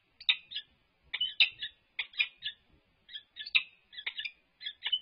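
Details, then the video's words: A resident peregrine falcon pair at UC Berkeley performing a courtship display; sharp, grating calls come in clusters of quick notes separated by short silent pauses. "Annie and Grinnell Courtship Display"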